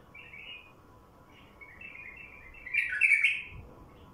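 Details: A wild bulbul sings, recorded to prompt wild bulbuls to sing: soft twittering notes build into one loud, jumbled, bubbling warble near the end, then fade.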